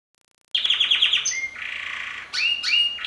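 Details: A male canary, a superb singer kept with his mate in an outdoor cage, sings a rapid run of bright, repeated chirps, then a long buzzy trill, and finishes with rising, sweeping whistles.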